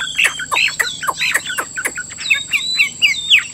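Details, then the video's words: Vietnamese cage-kept Chinese hwamei gives a quick series of sharp, steeply falling whistles and chirps, several per second, interspersed with short twisting notes; a steady high tone runs throughout. "Họa mi hót hay"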